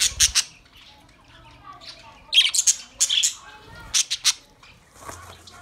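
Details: Budgies giving sharp, separate high squawks and clicky chirps, some in tight doublets, spaced by near-silent pauses, with a faint low hum in the background.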